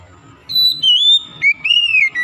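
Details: White-rumped shama, a bird being restored to full song, sings long pure whistles, a high steady note dropping to lower slurred tones, over a low background rumble.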